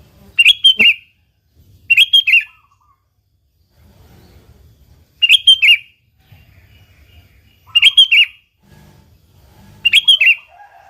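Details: Sooty-headed bulbul song meant to provoke other bulbuls into singing: five short bubbly phrases of three or four rapid whistled notes, repeated roughly every two seconds with quiet gaps between.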